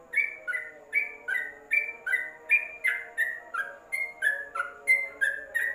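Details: Training recording of a yellow-vented bulbul, intended for a covered cage: crisp, falling two-part chirps repeated in a brisk rhythm over a faint steady hum.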